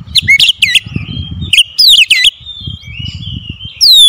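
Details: Oriental magpie-robin (kacer) lure song for stirring silent magpie-robins: looping whistled notes and sharp chirps, thin drawn-out whistles between them, ending in a loud downward-sweeping note.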